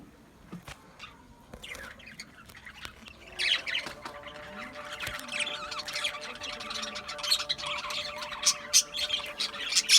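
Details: Australian budgies start up after a quiet opening, their busy high chatter of squeaks and warbles growing louder and denser toward the end, with faint background hum.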